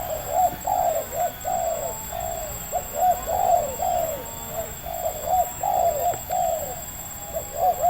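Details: Spotted dove, a local wild bird with a medium-pitched voice in Indonesia, during decoy trapping. Dense, rolling coos come in clusters of two to four rounded notes with short breaks, over a faint constant electrical whine.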